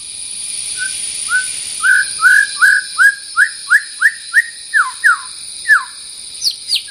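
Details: White-rumped shama, a territorial bird facing a rival, singing a series of loud clear whistled notes that rise and fall, repeated about three times per second in a steady run, with a steady high electronic hum behind.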